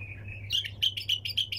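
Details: Brief bulbul song in the wing-clap, hunter style: a thin sustained note followed by about six quick, bright, evenly spaced chirps with a faint background hum.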